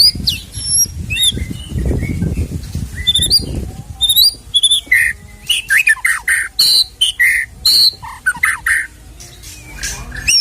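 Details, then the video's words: White-rumped shama song used as a lure to provoke a caged shama into singing: varied whistles, rising and falling notes and sharp chirps, with low rumbling noise early on, then a rapid run of separate loud notes. "MURAI BATU KENA MENTAL \FIGHTER KEMBALI SAAT DENGAR KICAU ISIAN INI"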